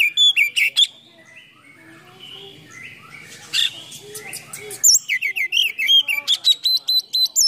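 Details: White-rumped shama (kacer) singing a varied full song with tail spread, a lure track to provoke other kacer; short bursts of high whistles and rapid chattering notes separated by a quieter stretch of soft low sounds.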